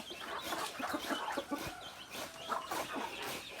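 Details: Native chickens of a rooster-and-hen flock: rapid, irregular low clucking, about four notes a second, with a few brighter squawk-like notes and faint higher peeps in the background.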